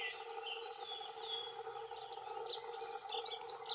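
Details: Male dunnocks, two birds, giving territorial song; a quiet opening gives way to a quick high tinkling warble in the second half, against a persistent low hum.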